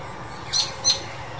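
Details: A juvenile Chinese blackbird, recorded in May 2021, gives two thin, high, squeaky notes about a third of a second apart over a faint steady background hiss.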